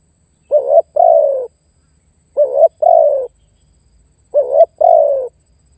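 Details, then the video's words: Spotted dove calling to draw in and challenge a rival bird for trapping: three evenly spaced phrases of a short warbled note and an extended descending coo, about two seconds apart. "SUARA TEKUKUR MEMANGGIL DAN MENEKAN LAWAN"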